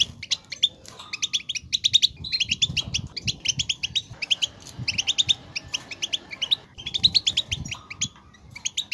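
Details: Goldfinch song played to make a goldfinch sing, long stretches of rapid, tinkling twitter and buzzy trills with few pauses, over a faint low hum.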